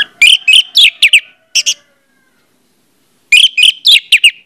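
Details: ['Orange-headed thrush song serving as a lure to make other orange-headed thrushes sing: rapid, rich phrases of mixed whistles and harsher notes, a short pause, then another fast burst.']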